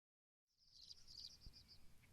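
A sparrow gives a quick run of high, bright chirps over about a second, with a soft low rumble of background noise underneath.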